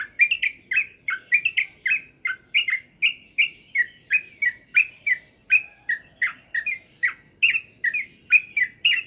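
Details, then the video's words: Sooty-headed bulbul kept for morning dewing to encourage singing, giving a steady run of short, bright chirped notes with a falling and rising shape, about two or three each second over a quiet background. "pengembunan Trucuk'an Agar Rajin Bunyi"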